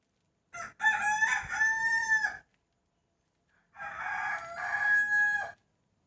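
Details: Rooster crowing in the early morning just before the 2020 New Year: two loud harmonic crows about two seconds each, a brief stutter opening the first, separated by a quiet gap.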